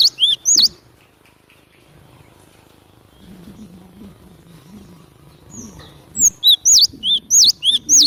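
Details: Lure song of the cinereous tit for trapping: a brief opening of whistles, a long stretch of soft low background sounds, then a quick run of ringing high-low whistled pairs.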